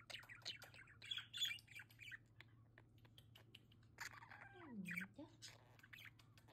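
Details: Pet budgerigars enjoying their play area at home: bursts of bright, scratchy chirps and squawks in two clusters, with a lower gliding sound near the end and soft background noise.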